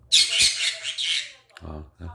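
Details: A pet talking conure tries to say the Korean phrase "ice cream please", not very clearly: one harsh, raspy burst of about a second and a half, like a short spoken phrase. A low human voice follows briefly.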